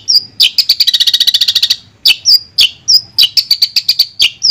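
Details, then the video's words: Long-tailed shrike singing, offered as therapy for a stalled shrike, with a fast rattling trill of high notes, then spaced whistled slurs and sharp chip runs. "Terapi Suara Untuk Cendet Macet"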